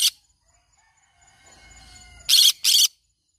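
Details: Green-cheeked conure kept as a pet: a single coarse screech, a quiet gap with faint tonal whistling, then a fast double screech.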